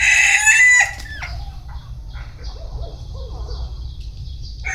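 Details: Bantam rooster crowing. The clip opens with a loud, hoarse, harmonic crow of under a second, followed by quiet scattered chirps and a steady low background hum.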